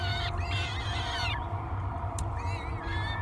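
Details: Peregrine falcon chicks beg for food at Great Spirit Bluff, May 2022: two quick bouts of wavering, rising-and-falling wails separated by a sharp click, atop a steady low hum.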